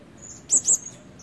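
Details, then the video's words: Decoy blue-crowned hanging parrot, red-breasted, still practising its calls: a quick pair of sharp, very high-pitched squeaks with a thin whistle-like tone. "Denak Pemikat Burung Serindit Dada Merah Belum Penuh Cuba Suara"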